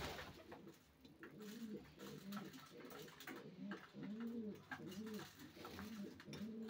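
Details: Racing pigeons cooing in repeated low arched phrases about every half second, with background clatter and rustling.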